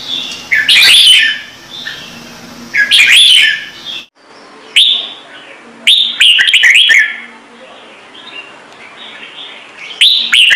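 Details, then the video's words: Red-whiskered bulbul singing the standard Trung Mang voice: several bursts of lively warbling, whistled phrases separated by short pauses, including one rapid run of chirps and then a final bright phrase. "CHÀO MÀO | Trung Mang hót giọng chuẩn cực hay - Bổi nghe là hót"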